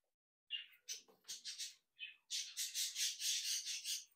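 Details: Young budgerigars from a home breeding brood, noisy chicks and fledglings leaving the nest, utter harsh raspy squawks, first spaced, then merging into a continuous rapid rasping series, indoors.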